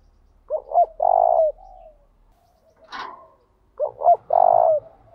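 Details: Spotted dove lure call meant to provoke rival doves into a singing duel and draw them in. Two short rising notes are followed by a long, steady low coo, and the phrase is repeated about three seconds later. A brief sharp noise falls between the phrases.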